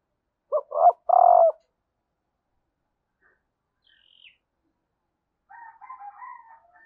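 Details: Calling female spotted dove, used to excite males: a strong low coo of two quick notes and a long held note, a brief faint squeak, then a stretch of softer, higher rapid chattering notes.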